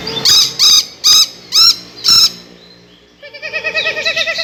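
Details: Lory with shrill, ghost-like calls: five loud rasping screeches about half a second apart, followed by a softer rapid run of quavering higher notes.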